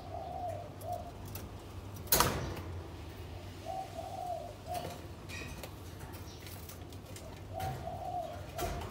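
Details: Spotted dove from a captive breeding pair that preens each other and carries material to build a nest after three days together; soft, low cooing phrases come three times, with a sharp knock near two seconds and faint rustling.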